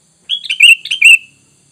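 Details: Lure recording of a sooty-headed bulbul, meant to draw a reply from wild birds: two rapid bubbly phrases in a row, each a tumbling run of bright, slightly descending chirps, in a quiet background.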